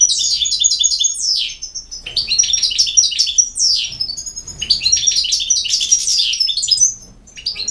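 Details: European goldfinch in full song, an almost continuous stream of high, rippling twitters, sharp descending slurs and nasal buzzy notes, easing off briefly near the end.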